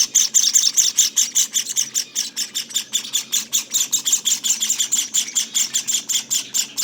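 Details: Java sparrow nestlings, 18 days old, calling in a fast, steady stream of shrill, scratchy high chirps, about two or three per second throughout, loud and continuous with no other sounds.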